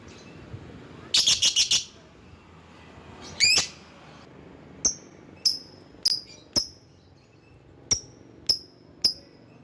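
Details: Lovebird lure sound for calling rivals: a brief fast rattling trill, one rising shriek, then scattered sharp, high ticking chips spaced about half a second apart.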